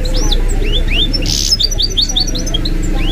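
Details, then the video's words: Mule bird from a goldfinch crossed with a canary, twittering in a lively run of short, upward-sweeping high notes and tinkling chips, with a low hum of background noise. "The maestro's singing is amazing - the goldfinch hybrid"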